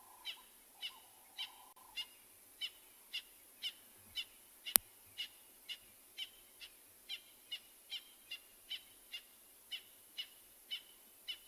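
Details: Francolin calling on a quiet sunrise game drive at Tswalu Kalahari Reserve, South Africa, 25 July 2020, with lions nearby: a long, evenly paced series of sharp, scratchy notes, about two per second, with one loud click partway through.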